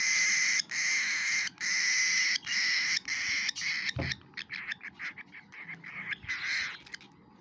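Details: Baby cockatiel begging while eating food: loud, steady, harmonic calls in bursts just under a second long, separated by brief gaps, then breaking into shorter, choppier notes over the final seconds.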